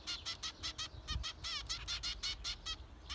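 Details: Zebra finch calling: a fast, continuous run of nasal, buzzy beeps, nearly three per second, some notes wavering, over faint low noise.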